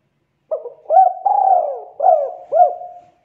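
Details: Spotted dove (tekukur) call used for luring birds: a soft, low series of about five hollow coos, the middle one drawn out and falling, with a rolling quality; no other sounds.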